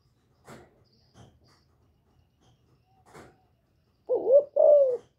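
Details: Female spotted dove calling to rouse males; a few dry clicks and taps first, then two loud, hollow coos close together at the end.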